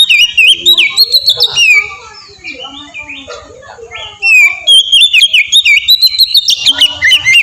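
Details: Ngeplong-style song of an oriental magpie-robin, used as a lure to make birds sing readily: dense bursts of whistled and slurred notes about three per second, a quieter pause, then another lively phrase.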